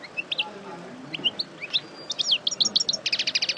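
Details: After moult, a caged parva goldfinch sings a lively, tinkling stream of high chirps. The notes speed up into a rapid, buzzy trill near the end, over faint low background noise.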